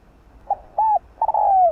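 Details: Spotted dove decoy in full song: a short soft note, a smooth arched coo, then a long, gradually falling croon held to the end.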